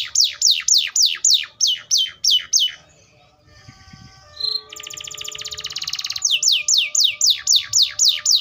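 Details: Atlantic canary song of quick repeated downward-sweeping notes, a short pause with faint sounds, a dense buzzy rattling trill, then another regular series of falling whistled notes.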